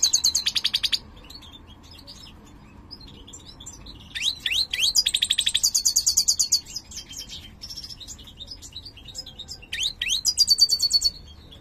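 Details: A mutated captive-bred European goldfinch (greater goldfinch) sings bright, tinkling phrases of rapid high twitters, buzzy trills and quick down-slurred notes in bursts of a second or two; owner considers its song poor.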